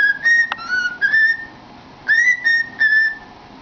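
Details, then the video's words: A cockatiel kept as a pet sings inside a cardboard tube: smooth, pure whistles, some sliding upward, delivered in two bursts of three or four notes, with one loud click early on. "Funny Bird Singing in a Tube"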